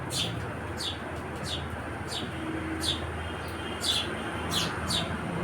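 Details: Bright, clipped chirps from a house sparrow, roughly one every half second to second, against a continuous background hum of traffic.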